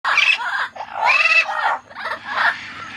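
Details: Pet parrot calling happily while other parrots, a blue-fronted, yellow-fronted, yellow-naped and lilac-crowned, fly and play on the ground: loud harsh screeching squawks in three bursts, with rising and falling whistled tones.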